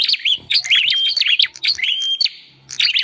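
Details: High, ringing whistles from a bar-winged prinia, used as a lure for wild birds, twist through quick slurs among dense clicking ticks, then pause briefly before resuming.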